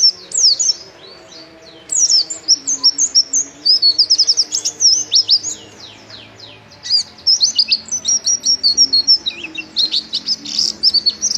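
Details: White-eye in vigorous song: long runs of very high, rapid, zigzagging chirps and trills, nearly continuous with brief breaks, delivered at a brisk, uneven pace over a quiet background.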